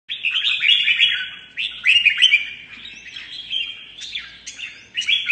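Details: Mutant red-whiskered bulbul in competitive singing, pouring out rapid warbled, slurred phrases with bright whistled notes. Bursts come in fast runs with short pauses between.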